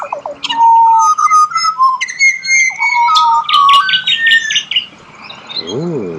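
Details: Pied butcherbird in Australia singing a serenade of pure, flute-like whistled notes. Sustained level tones alternate between lower and higher pitches, with a quick run of rapid rising notes near the end and a faint buzzy sound at the close.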